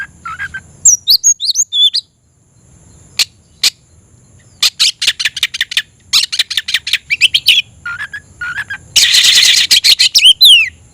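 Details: Oriental magpie-robin in full song, calling a rival to fight: high whistled slurs and sharp clicks, then long runs of rapid harsh ticking notes and a dense buzzy burst near the end, with rising whistles.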